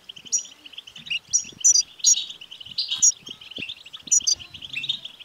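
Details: European goldfinch song intended to make a male goldfinch sing: a busy, liquid twittering stream punctuated by sharp high notes, with soft low knocks in the background.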